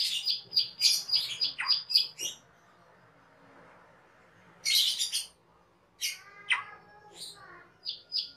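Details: Master song of a cucak keling, a cage bird, used to train other birds: bursts of harsh chattering and sharp chirps, a quiet pause of about two seconds, then more raspy notes and clipped squeaks.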